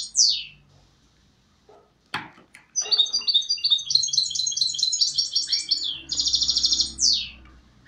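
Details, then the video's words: Goldfinch hybrid (mule) sings a fast, high twittering song of rapid liquid trills and buzzy rattles, with sweeping downslurred notes at start and end; one sharp click is heard. "Mixto de Jilguero"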